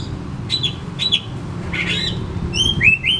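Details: Oriental magpie-robin phrase used to draw out silent birds: a few short nasal notes and a rough buzzy burst, followed by three quick downslurred whistles, above a constant low hum.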